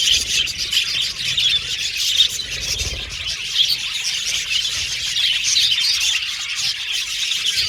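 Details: Budgerigar colony in an aviary: dense, continuous chirping and twittering from many birds, high and busy with no pauses, a few louder squeaky notes standing out near the middle and end.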